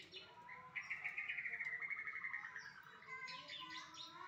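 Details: White-rumped shama singing a long, bright, pulsing trill that holds steady, then slowly drops in pitch. It breaks into a burst of varied high whistles and chatter, clear over a soft background hiss.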